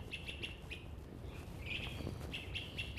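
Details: An Orchard Oriole, at first mistaken for an indigo bunting or northern waterthrush, sings a quick run of bright, chirpy whistled notes, several per second, in bursts high in the trees of Central Park, over a steady low rumble of city noise.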